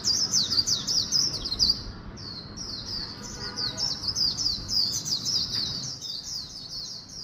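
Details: Swinhoe's white-eye in rapid 'líu cựa đuôi' style mixed with magpie-robin phrases, pouring out thin, very high twittering notes in tight bursts, about two per second, with a short break midway.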